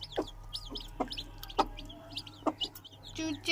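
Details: New Aseel chicks kept at home give high, thin peeping notes in quick irregular bursts, mixed with sharp clicks and knocks and a low steady hum.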